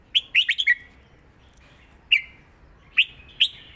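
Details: Southern Thai song pattern from a red-whiskered bulbul used to teach cage birds: a rapid run of four bright notes, then isolated slurred whistles spaced nearly a second apart with trailing tones.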